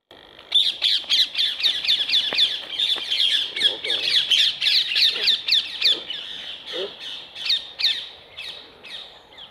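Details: Rose-ringed parakeets feeding on apples placed on a wire fence give a rapid stream of harsh, high, screeching squawks, several every second, overlapping from more than one bird.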